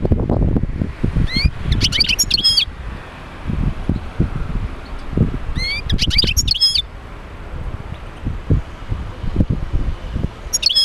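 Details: European goldfinch song used to encourage other goldfinches to sing: short bursts of high, rapid twittering roughly every four seconds, over steady low rumbling and knocking noise.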